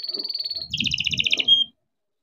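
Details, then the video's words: Captive-bred young canary singing lure song to get other canaries singing; a thin, high, fast trill, then a lower, richer rolling trill, ending in a pure whistled note before silence, with soft low rumble beneath. "KENARI GACOR DOR COCOK BUAT PANCINGAN KENARI BIAR GACOR || KENARI GACOR PANJANG"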